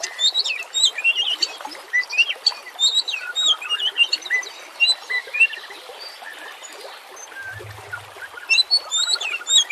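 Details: Oriental magpie-robin singing as a lure to prompt other magpie-robins into full song; a busy, nearly continuous stream of varied whistles, slurred notes and chips over steady background hiss, with a brief low thump.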